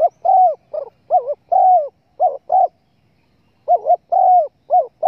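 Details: Spotted dove lure for hunters: low, wobbling coos with dipping and rising pitch in irregular runs, a brief silent gap midway, then more coos.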